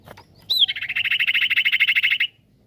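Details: Song of a common iora, used to provoke other ioras to call back: a brief high slurred note opens a long, fast trill of evenly spaced buzzy pulses lasting nearly two seconds, then quiet.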